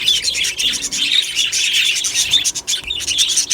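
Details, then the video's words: Short burst from a budgerigar aviary colony, 1 July 2025: bright high chirps and warbling chatter from several birds crowd together, with small clicking sounds between. "beautiful Budgie birds chirping sounds"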